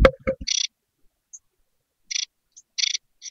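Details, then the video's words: Newly hatched great tit nestlings begging for food inside a nest box: short raspy, hissing bursts in small clusters, opening with a few low knocks and thumps from movement in the box. "Jungvögel im Kohlmeisennest | Hungrige Mäuler wollen gefüttert werden!"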